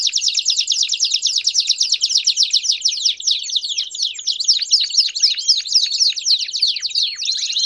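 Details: Several Belgian canaries in full song: a long, dense, high rolling trill of rapid repeated notes, shifting into looser sweeping phrases midway and back to fast rolls.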